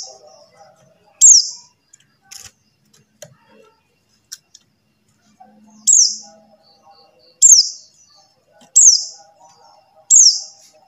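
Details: White-eye known as pleci buxtoni calling, a sound used to stir silent white-eyes into song: a series of about six shrill descending notes, sparse at first then repeated roughly every one to one and a half seconds.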